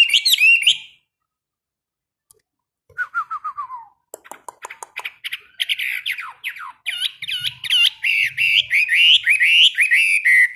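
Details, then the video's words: A seasoned caged Chinese hwamei in its 15-minute morning training. A burst of song is followed by a pause, then a short falling series of notes. Dense, rapid, looping warbles follow and grow steadily fuller. "Luyện hót cho họa mi mỗi ngày 15 phút vào buổi sáng đối với chim chơi giàn cứng"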